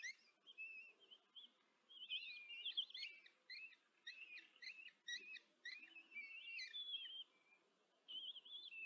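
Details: Common kestrel female feeding four chicks at a nest camera in Tiszanagyfalu, Hungary, 14 July 2023; the young give a dense, chattering string of high, wavering squeaks and whines, short pauses between bursts, then a final drawn-out whine.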